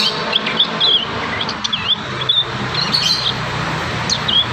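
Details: Wild young prinias practising their song: thin, high chirps and short slurred whistles scattered irregularly over steady background hiss, with a few brighter rising notes near the end.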